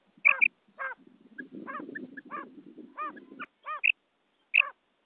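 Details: Quail (batair), possibly a hunting-lure recording, calling in short, arched, harmonic notes that each sweep up and down, given in spaced bursts over a low, rough murmur.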